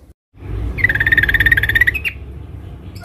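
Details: Female sooty-headed bulbul calling a male in the dense ngeriwik rapat manner: one rapid, even trill of about a second on a near-steady pitch, ending with a short upward flick, over faint low noise.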